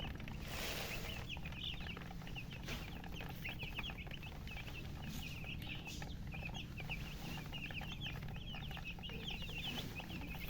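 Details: Poultry chicks craving drinking water chirp nonstop: thin, shrill peeps from many birds in a continuous stream, a brief rustling burst near the start, and a constant low hum.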